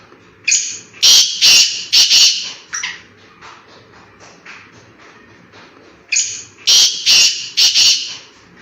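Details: Black francolin in forest habitat giving its call twice: each phrase a short lead note followed by three or four harsh, scratchy, emphatic bursts, separated by a few seconds of softer rustling background.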